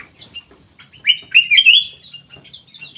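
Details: Aviary-kept black-naped oriole (kutilang emas) in Indonesia: a mellow, looping fluted whistle that rises and twists over half a second, framed by soft high chirps from other birds before and after.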